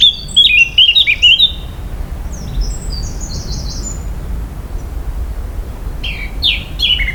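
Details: A Eurasian Blackcap sings in a Polish forest, quick, varied warbled phrases of high, clear, flute-like notes, then thinner high notes, then another brisk burst, over a steady low rumble.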